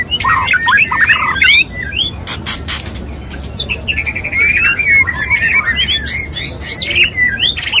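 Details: A male white-rumped shama courts a female. Varied chattering whistles and squeaks are broken by loud dry clicks and snapping sounds, followed by a long series of quick rising whistled notes.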